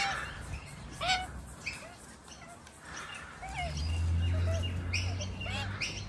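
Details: A juvenile Australian magpie from a resident family visiting a front yard daily, hungry and begging near its parents at lunch, gives short, hooked, squeaky calls over and over, roughly twice a second, against a low background rumble.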